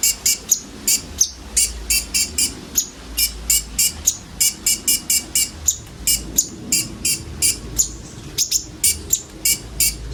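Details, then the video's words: Common iora singing as a lure to draw sunbirds, delivering rapid bursts of sharp, high chipping notes in quick runs with short pauses, over a low background hum. "SUARA BURUNG KONIN BUNYI ISIAN COCOK UNTUK PANCINGAN KOLIBRI NINJA OMBYOKAN"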